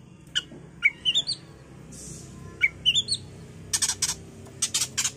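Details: Oriental magpie-robin, a bait recording to provoke singing: short bright whistled notes rising in pitch, a phrase repeated twice, ending with a run of hard, buzzy rasping bursts over a faint steady hum.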